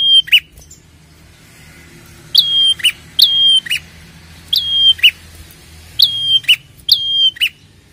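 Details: Red-headed prinia lure recording meant to set prinias calling: about six phrases, each a sharp rising note into a level high whistle ending in a harsh buzzy chip, with a gap between some phrases.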